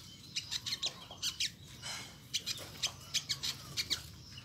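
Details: Olive-backed sunbird, known locally as sogok ontong or sogon, giving its characteristic 'nyecret' call: bursts of short, sharp, high chips in quick clusters of two to four, with brief pauses between groups, over a low background hum.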